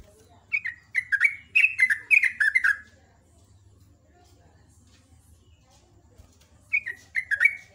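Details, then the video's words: Morning singing of a sooty-headed bulbul, called trucuk, in rapid ropel ngecruk style: a burst of about eight bubbly, descending notes, a long quiet gap, then a shorter run of four. Faint background hum. "SUPER GACOR JOGJOG /TRUCUK ROPEL NGECRUK"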